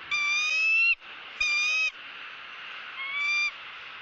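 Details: In Southwest Florida, a female bald eagle squawks as the male feeds her fish at their nest. Two loud, high, thin squeals are followed after a pause by a softer third.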